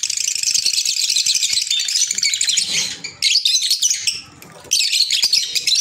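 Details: Continuous high, twittering chatter from pet green Fischer's lovebirds, dense and buzzy for three seconds, broken by a brief lull before more shrill squeaky bursts.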